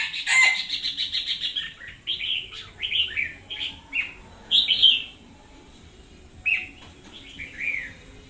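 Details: Red-whiskered bulbul singing energetically as a decoy bird in 2021: a rapid buzzy rattle opens, followed by a run of rich, rolling warbled phrases, a pause, then further fluty notes.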